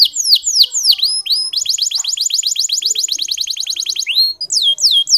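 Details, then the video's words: Local canary singing a training song meant to stir reluctant male canaries into song: clear, high downward-sweeping whistles, then a long fast buzzy trill of rapidly repeated notes, ending with more falling sweeps. "Masteran Kenari Lokal Super Gacor"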